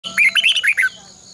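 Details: Red-whiskered bulbul in competition singing, a morning song of the long double twisting style, used as a decoy to train caged birds; one quick burst of six bright, warbled whistled notes, with a steady pulsing insect-like hum behind.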